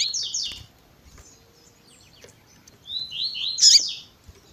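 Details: Double-collared seedeater of the tui tui zel zel style, with female piping used to excite males: a quick group of falling whistled notes, a quiet pause with faint chips, then another run of slurred notes ending in a sharp chip.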